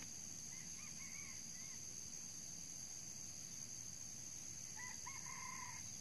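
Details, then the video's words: Two crows of a red junglefowl heard while wild birds are trapped using a decoy: each a brief rising-then-falling harmonic phrase of several linked notes, about four seconds apart, against constant shrill insect drone. "mikat ayam hutan"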